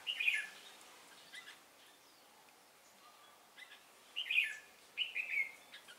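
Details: Trapping decoy red-whiskered bulbul delivering fighting song on 10 December 2016; a short, loud, liquid opening phrase, a long lull with soft chips, then two more cheerful warbled phrases close together.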